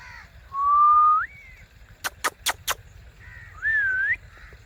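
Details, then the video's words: A talking ringneck parakeet (blue or kiwi ringneck) gives a drawn-out, rising whistled phrase, then four sharp rapid clicks, then a wavering nasal phrase like mimicked speech, over a low rumble. "Blue Ringneck & Kiwi Ringneck parrot Talking Natural sounds bolnywalatota mithu talking sounds"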